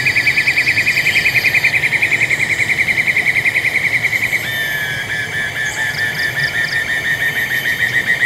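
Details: Black-and-yellow broadbill (Eurylaimus ochromalus) at Taman Negara, Congkak, West Malaysia, 2022, gives a long, rapid, buzzy trill of high pulses, then a second slightly lower trill, with brief chirps from another bird.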